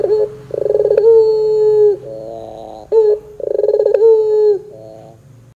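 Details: Barbary dove of the puter pelung type, recorded as a lure. Rapid bubbling pulses swell into a long, even coo, followed by a lower murmur, a short coo and another pulsed roll ending in a faint trailing note.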